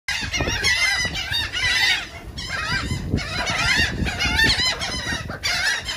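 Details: Gulls eating cake at Atlantic City, New Jersey, call harshly over one another with overlapping squawks and yelps in rapid bursts, over a low rumble of wind or surf.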